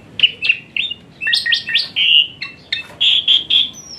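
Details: Asian pied starling singing hot-shot phrases used to train lazy starlings: short bright whistled chirps spaced by brief gaps, a cluster of sharp notes in the middle, then a row of loud even whistles.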